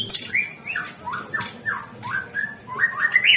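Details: Greater green leafbird singing to draw other birds into song: a continuous run of clear, slurred whistled phrases, some rising and some falling, over a steady background hiss.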